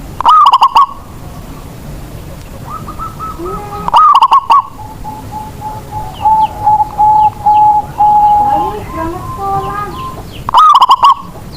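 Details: Indonesian local zebra dove singing to draw lazy doves into song: three loud phrases of rising coo and fast pulsed notes, separated by long stretches of softer cooing and chattering from other doves nearby.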